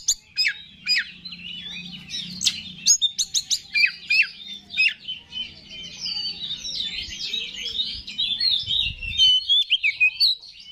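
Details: Oriental magpie-robin (kacer) singing 'gacor' style as a lure to rouse other kacer: a rapid burst of sharp staccato notes for about three seconds, then a long flowing, varied whistled warble.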